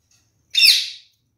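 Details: One harsh, nasal squawk from a male kakariki parakeet kept as a pet with a female, loud and short against a silent background.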